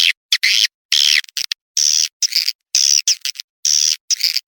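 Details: Blended swiftlet lure call called Lintas Borneo, used to draw swiftlets: short bursts of high rasping twitters, each about half a second long, separated by sharp silences, about thirty bursts per minute.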